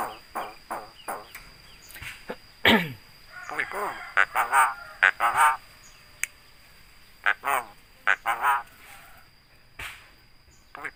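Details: Javan myna imitating human sounds like greetings and coughs; scattered rough, speech-like syllables and a descending harsh cry, with pauses between bursts and brief clicks.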